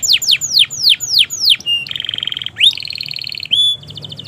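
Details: Domestic canary in master song for prompting silent and young canaries: several loud falling sweeps, then harsh buzzy flat tones alternating with fast pulsed rolls and a brief high whistle.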